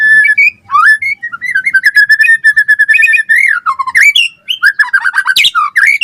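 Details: White-rumped shama in full 'gacor' song for training other birds: nearly continuous run of fluid whistles, steady mid-pitched notes, downward slurs and quick chattering flourishes, no pauses to speak of.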